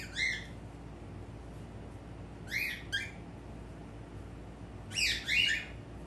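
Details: Male pet cockatiel calling in front of a mirror: three short bursts of harsh, rising-then-falling harmonic chirps, a single one first, then a pair, then two more near the end, separated by quiet gaps over a low background hum.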